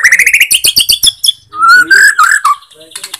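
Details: Lure song of a Bornean white-rumped shama meant to provoke rival shamas: a rapid burst of repeated sharp notes, then a warbled, slurred whistle phrase and a few soft closing notes.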